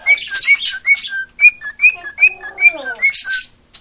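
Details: Pet female cockatiel (Nymphicus hollandicus) who loves attention, warbling a quick run of clear, slurred whistles, about two or three a second, mixed with scratchy chatter and a brief descending burble.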